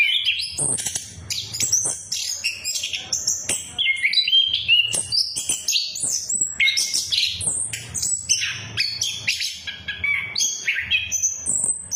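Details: Orange-headed thrush (anis kembang, punglor) singing a lure song meant to prompt silent birds to sing, in ngeplong and ngeriwik style: a dense, varied stream of high whistled and chirping phrases, leaping and sliding quickly with hardly a pause.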